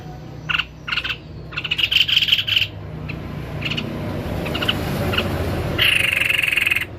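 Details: White-necked babbler in lively song, giving scattered short buzzy chattering bursts, then a longer harsh rattling buzz near the end, over a low steady background hum.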